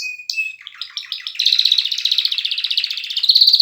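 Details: Canary singing: a brief whistled note and short chirps, then a rapid pulsing trill of repeated notes held to the end.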